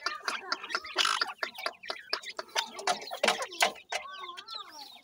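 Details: Young grey francolins, known locally as dakhni teetar, giving a dense run of quick chirps and cheeps, ending in wavering whistled notes, with handling and scuffling noise throughout.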